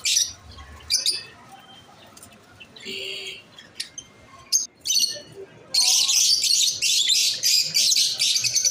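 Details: Masked lovebirds chirping: scattered harsh, high buzzy chirps and squeaks in short bursts, building to a dense, continuous shrill chatter over the last few seconds.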